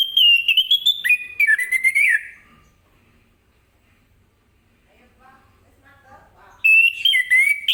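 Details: Orange-headed thrush delivering morning 'ngeplong' song that prompts other birds to reply: a long series of loud varied whistles, faint soft twitters during a pause, then another energetic whistled run.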